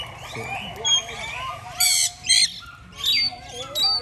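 An Alexandrine parakeet gives harsh, raspy squawks, about five short bursts in four seconds. Faint human voices sit underneath.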